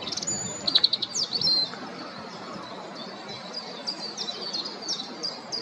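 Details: A European robin sings close up, a territorial song: a burst of high, thin, tumbling notes with quick sweeps, trailing into softer scattered twitters over faint outdoor hiss.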